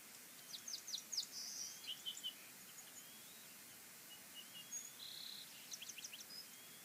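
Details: At Fraser Point on 22 March 2019, bald eagles feed their chicks at the nest, chicks 1 and 2 taking most of it; clusters of sharp, high chittering notes and short thin whistles come in bursts over a hissy background.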